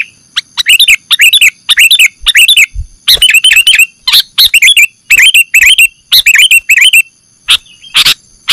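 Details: Sooty-headed bulbul calls used to attract birds for catching: steady series of short chattering phrases, each two or three quick up-and-down notes, repeated about every half second, with a faint constant electronic hum.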